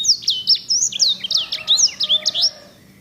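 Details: Grey singing finch (sanger), a bird whose song is known for a beautiful, rich roll and is used to tutor canaries: rapid run of high, sweeping whistled notes with downslurs and trills, dense for two and a half seconds, then fading.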